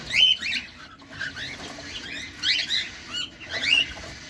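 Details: Cockatiel, pet bird filmed close up while feeding, giving bursts of chirps and short squeaky whistles in three clusters, with soft rustling in between.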